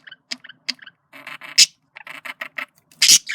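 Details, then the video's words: Flirting male budgerigar makes a few sharp, high ticks followed by a run of rough, nasal chattering notes and two loud, shrill squeaks. "Male Budgie/Parakeet Sounds Of Flirting"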